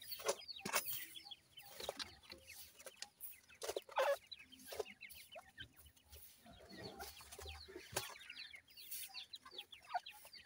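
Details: Several captive-bred grey francolin chicks peeping as they feed. Short high downslurred notes tumble over one another, and sharp taps and rustling handling noises break in.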